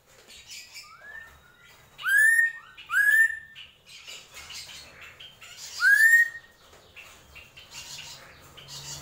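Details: Drongo in gentolang song: soft rising whistles, then a pair of loud ringing upswept notes, a pause, and another strong upslur, amid faint scratchy chatter.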